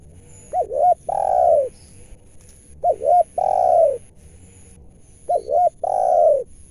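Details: Spotted dove, a wild bird drawn in while being lured and trapped in Indonesia, described as having a loud, clear voice; three steady phrases, each two quick hooting notes followed by a drawn-out descending coo, about every two seconds.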